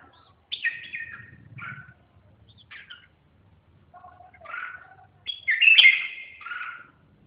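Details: Red-whiskered bulbul giving short, scattered warbled phrases with gaps of silence between them. One phrase dips low and one ends in a brighter, louder flourish. A faint low rumble sounds underneath early on.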